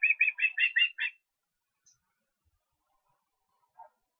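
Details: Osprey recorded in Estonia on 23 August giving a short burst of six quick, high chirping whistles, then near silence.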